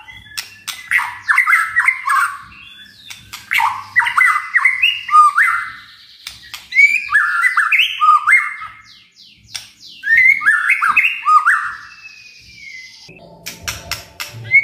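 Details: White-rumped shama, a caged songbird, delivering a full varied song with rapid stepped whistled bursts in repeated phrases every few seconds, mixed with sharp clicks and chirps; a brief low noise near the end.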